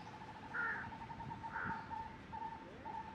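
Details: Black jungle crow calling on 4 July 2021: two harsh, hoarse caws about a second apart, with a steady, pulsing mid-pitched tone repeating underneath throughout and a soft background hum.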